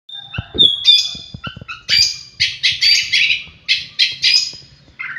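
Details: Oriental magpie-robin, kacer, kept bird singing: a long pure whistle followed by harsh, buzzy, scratchy bursts repeated in quick succession, with clicking noises underneath.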